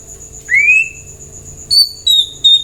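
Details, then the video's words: White-rumped shama song used to prompt other birds to answer and sing: a few clear, pure whistles, first one rising, then shorter high notes, separated by quiet gaps with a faint steady tone behind. "Pancingan murai jadikan burung anda ikut nyaut dan gacor"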